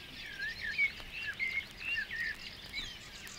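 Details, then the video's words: Barred Warbler singing in the water-meadows and coastal pastures of Matsalu, USSR, field recording released in 1979: a fast, continuous, scratchy warble of short chattering notes with brief clear whistled inserts, mid to high pitched, over quiet background. "Barred Warbler"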